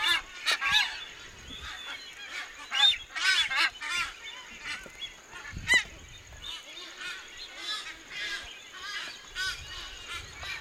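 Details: Nazca boobies (Sula granti) at a colony on Malpelo Island during the incubation period give hoarse, honking calls in irregular overlapping bursts, with several birds calling at once and a faint steady high hiss behind.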